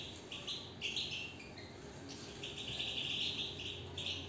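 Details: Caged European goldfinch delivering rapid tinkling song, with quick chirps and short trilled phrases that come faster and fuller toward the end, over a low hum.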